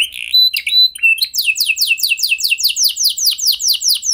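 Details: Canary song used to make other canaries sing quickly: a few scattered chirps and short whistles, then a steady run of looping, descending whistled notes repeated several times per second.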